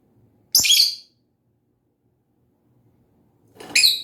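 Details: Lovebird giving two piercing, buzzy chirps about three seconds apart, each brief and rasping, otherwise near silence.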